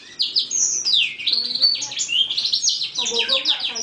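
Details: Young male lizard x roller canary cross, six months old, from a first-hatch nest of two males, its song starting to become clear with mixed borrowed sounds: fast high warbling of slurred rising and falling notes, with a few lower buzzy notes interspersed.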